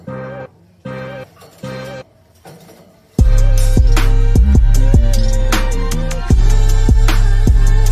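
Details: Music with a heavy drum beat and deep bass, starting with short bursts and then playing continuously, with no animal heard.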